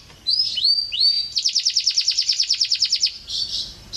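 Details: Indonesian canary tutoring song: two rising whistled slurs, then a fast, evenly pulsed trill of about two dozen notes, followed by a softer high rolling phrase.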